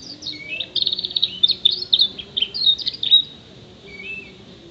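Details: Six-month-old canary mimicking sparrow, prenjak, white-eye, blackthroat and ciblek; fast run of high trills, chirps and twittering phrases for about three seconds, ending with a brief whistled note over faint low hum.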